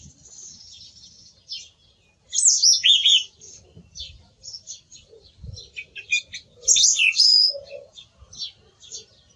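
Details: Song thrush in varied song: high thin notes, then loud complex warbled phrases, several quieter clipped notes, and another strong whistled burst.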